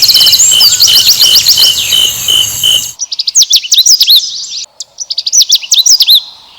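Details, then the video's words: Asian brown flycatcher song used to provoke other birds into singing: rapid high thin twittering with sharp rising and falling notes, after an opening of steady pulsing insect-like buzzing in the background. "SUARA BURUNG SIKATAN LONDO"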